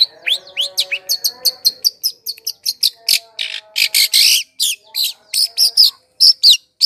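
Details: Long-tailed shrike song played as a bait sound for wild birds: rising whistles lead into fast, varied chattering notes and harsh rasping bursts, with short gaps between phrases.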